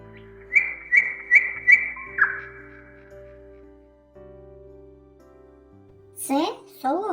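Common Nightingale song: four quick, clear whistled notes in a steady row, then a lower slurred note, over a soft background hum, with brief speech at the end.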